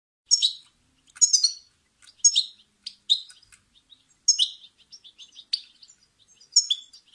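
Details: Goldfinch song played for training caged songbirds: bright, twittering bursts of high chirps and quick sweeping notes, each burst lasting under a second and repeated about once a second with clean silent gaps between.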